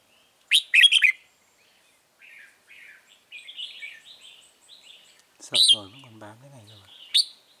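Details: Red-whiskered bulbul near a caged lure bird in a trap, 9 March 2020: a loud, ringing phrase, then soft warbling, with a man's voice cutting in midway and another bright note burst at the end.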